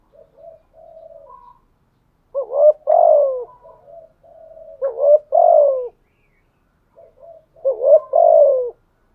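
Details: Decoy spotted dove of the thổ voice cooing continuously: faint soft murmuring, then three strong hoarse coos roughly every two and a half seconds, each a short lift followed by a long sliding fall.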